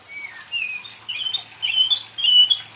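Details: Pet white-rumped shama kept at home, singing to ask for company: a few thin, high whistled notes, some sliding, spaced by short pauses.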